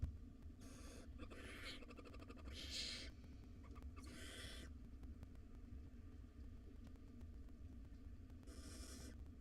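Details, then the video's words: Five hungry wild barn owl nestlings in a monitored nest box at feeding time give harsh, hissing screeches, about four bursts roughly half a second to a second long, over steady low rumble and clicking. "Dinner time for 5 hungry barn owl nestlings."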